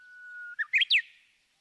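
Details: Japanese bush warbler song dubbed over garden footage: a long steady whistled note, then a quick rising flourish of three loud, sliding notes ending abruptly in a quiet tail.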